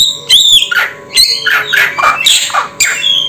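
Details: Samyong bird utters a run of loud, raspy squawks and clipped whistled notes in uneven bursts, with a steady faint electrical hum behind.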